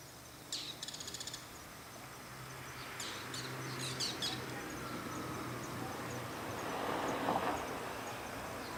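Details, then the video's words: Bull-headed shrike giving its evening ground call: harsh, scratchy bursts, including a quick rattling chatter of about eight notes, then scattered sharp notes, over a low steady hum and a soft outdoor hiss. "モズの鳴き声 Bull-headed shrike"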